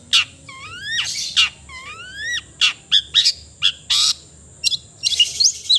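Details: Long-tailed shrike (cendet) singing a varied, melodious song: rising slurred whistles repeated twice, then sharp chips and harsh buzzy notes, over a steady thin high-pitched whine.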